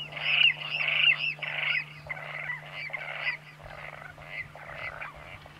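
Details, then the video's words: Water rail giving a series of harsh, pig-like squeals, about five strong notes in quick succession that then fade into quieter, rougher repeats. A steady low hum runs underneath throughout. "Chant et cri du râle d'eau"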